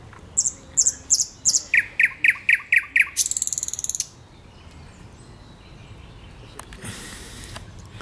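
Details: Song of a thrush nightingale recorded 8 May 2022: a series of sharp high ticks sliding into lower, knocking repeated notes, then a rapid high rattling trill ending abruptly, leaving soft background noise and a brief rustle.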